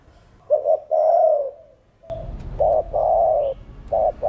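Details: Spotted dove in the earth-toned voice, cooing to stimulate other birds: low paired notes and a long coo, followed by a louder, noisier run of blocky coos with a faint chirp from another bird.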